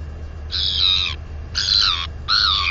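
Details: Female northern royal albatross chick, 218 days old, back at her nest area on 9.4.20, exercising her wings and squealing with delight. Three drawn-out, high, slightly falling squeals come roughly once a second, with low wind rumble beneath.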